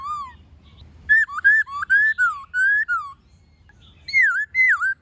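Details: White-cheeked laughingthrush in many-voiced wild-style song with a female calling, played to train caged birds: a low whistle, then a run of rising and falling fluted notes, a gap, and looping downslurred whistles.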